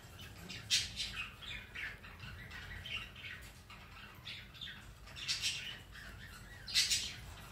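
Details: Pet rainbow lorikeet on a Sunday afternoon; harsh scratchy squawks scattered over low background rumble, with a few louder shrieks spaced several seconds apart.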